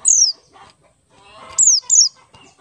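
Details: Oriental white-eye, Buxtoni type, ngalas song meant to lure other white-eyes into singing: one long high whistle sliding downward, then a pause and two quick falling whistles.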